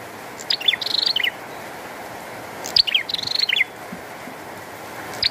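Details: Lively bar-winged prinia song during rainfall: two phrases of high chips and a rapid buzzing trill, separated by a pause of about one and a half seconds, over constant rain noise.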